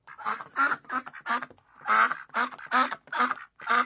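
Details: Loud, harsh duck quacks follow one another almost without pause, roughly eight raspy honking notes with a rich, buzzy tone.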